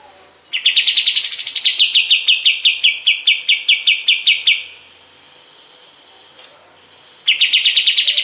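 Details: Kapas tembak bulbul master song for tutoring cage birds: a quick trill rises sharply, then steps down into a long run of evenly spaced notes, pauses, and restarts.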